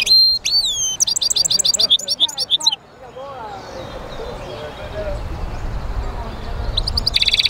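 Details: European goldfinch mule, a hybrid, singing: sliding high whistled notes lead into a fast, metallic twittering trill. A stretch of background noise and music follows, then a short buzzy burst returns at the end.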